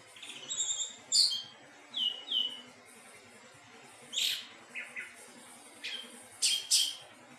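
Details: Melodious song of a thrush called anis teleng: scattered high whistled notes, paired slurred whistles and brief sharp chips spaced irregularly over several seconds, against faint low background noise.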